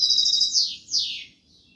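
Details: Brief fragment of European goldfinch Kobia Malaga song: the tail of a ringing trill followed by two loud, slurred notes that sweep steeply downward.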